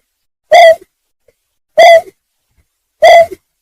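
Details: Greater painted-snipe calling, a recording meant for luring birds when hunting: three evenly spaced, resonant hoots, each about a quarter second long, repeated roughly every 1.3 seconds with no other sounds.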